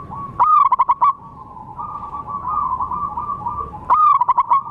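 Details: Zebra dove, a local wild bird's call used to lure and trap wild doves: a sharp rolled burst of five or six rapid coos, then a long, quieter, wavering trill, then another rapid burst of coos near the end.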